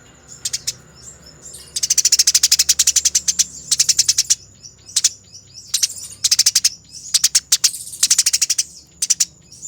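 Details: Fighting Eurasian tree sparrow, taken as a master for training birds, gives a few scattered ticks, then long, rapid, scratchy rattling runs, loud and close, alternating with short gaps over a thin high hum.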